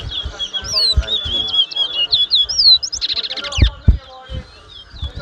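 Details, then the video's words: Towa towa (chestnut-bellied seed finch) singing in a 2022 whistling competition at Mahaica, Guyana: a run of bright, looping whistled notes, then a fast buzzy burst of rapid notes, with people talking quietly beneath. "TOWA TOWA BIRD WHISTLING COMPETITION"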